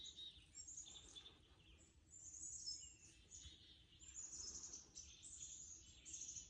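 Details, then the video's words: Several birds sing in soft, high, twittering phrases with fast trills and chirps that come in bursts of a second or two, over a faint, steady background noise. "Birds singing"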